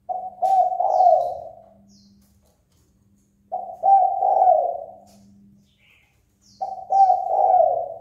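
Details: Fight-provoking call of a spotted dove, as kept and trained by bird keepers: three low cooing phrases, each starting with clipped notes and ending in a drawn-out, fading coo, with faint high chirps between them.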